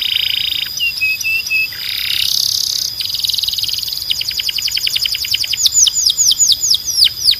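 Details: Canary singing tutor audio: level piping notes, a long buzzy wash, then an accelerating trill of repeated sweeps turning into loud, looping falling whistles.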